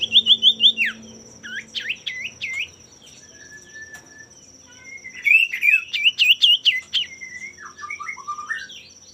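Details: Male common iora whose song is meant to make rivals sing too: bursts of quick warbling, looping whistles, a lone flat whistle, then an excited run of tumbling notes, over a continuous high pitched electronic whine.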